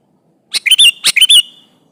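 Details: Sooty-headed bulbul in eager song, challenging a rival bulbul; two loud bubbly phrases back to back, each a rapid chatter of notes rising and falling in a rolling warble.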